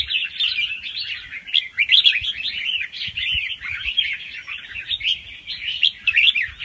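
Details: Young red-whiskered bulbul taken from the wild, singing softly in rapid rounds with doubled phrases, used to stimulate other birds. Arching, slurred whistled notes run together in a lively stream.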